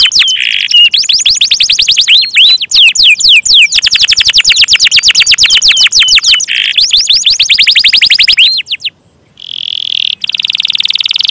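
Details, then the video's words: Canary in energetic gacor song, pouring out long rapid trills of thin descending notes that change speed between phrases, then a short pause followed by a sustained steady whistle. "KENARI GACOR"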